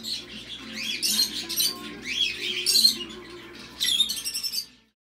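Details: Tame, hand-raised sun conures, born in Thailand, give harsh, raspy squawks in uneven bursts over a low indoor hum at a bird center.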